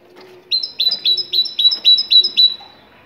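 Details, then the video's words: Moroccan great tit delivering one long run of about eight bright, high two-note whistles at an even, rapid pace. "تغريد الحداد المغربي الأصيل"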